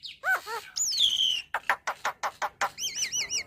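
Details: Javan myna singing energetically, a full varied song meant to train caged mynas. Downslurred whistles and a long falling whistle lead into a run of rapid harsh clicks, ending in repeated wavy, warbled whistles.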